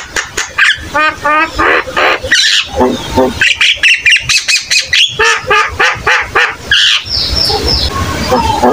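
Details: Energetic Javan myna singing, used as a tutor recording so young or flock-kept mynas answer and copy it: rapid series of harsh, harmonic chattering notes about three per second, ending with thin high whistles.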